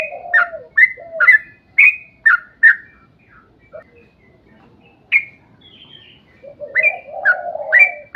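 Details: Sooty-headed bulbul song of the long 'ropel panjang' kind, meant to make other bulbuls start singing; a quick series of bright, clipped notes, a quiet gap, then renewed chirps over a low bubbling warble.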